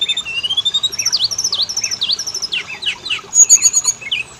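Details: Oriental magpie-robin song used as a lure so males and females sing: long pure whistles, then a series of V-shaped swooping notes repeated about every half second, ending in quick trills.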